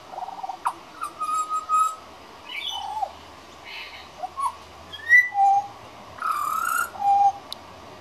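A young pied butcherbird tries out a halting run of fluty whistles, some held and some slurring down, mixed with rougher scratchy notes.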